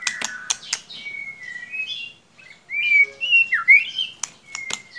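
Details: White-rumped shama singing a lure phrase intended to make a chirping bird sing: opening clicks, drawn-out smooth whistles, then a louder run of twisting whistled notes and more clicks.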